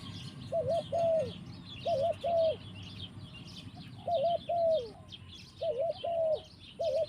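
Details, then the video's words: Spotted dove singing in the forest: low, mellow cooing phrases in paired bursts with short pauses between groups, over steady chirping of other small birds higher up. "Mantap Tekukur in the forest"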